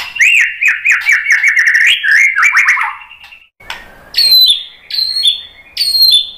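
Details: Lure song of a white-rumped shama, meant to get other birds singing: a fast trilled run of repeated slurred notes, then a pause and three high, sharply descending whistles.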